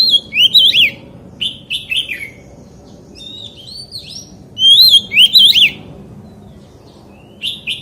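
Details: Forest-style song of a white-rumped shama, short clusters of sliding whistled phrases repeated at intervals of one to two seconds, with a steady low hum behind.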